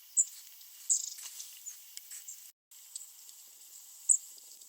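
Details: A long-tailed tit, flitting about restlessly, gives a few thin, very high, brief calls at irregular intervals over a steady background hiss.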